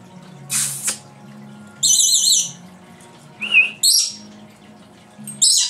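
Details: Pet female lory imitating sounds made by its owner and adding some of its own: a hissy burst, warbling high trilled whistles, a short squeak and sharp high notes, with a low steady hum behind.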